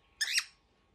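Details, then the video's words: Angry baby cockatiel giving a single short, harsh, raspy squawk that rises and then falls, loud against a quiet room. "Baby bird -very angry cockatiel"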